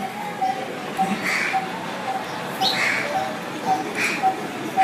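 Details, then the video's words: Coppersmith barbet giving its metallic call, likened to hammering on a metal surface; short even notes repeat about every half second in a steady series, with other birds chirping faintly behind. "that's the sound of Coppersmith Barbet."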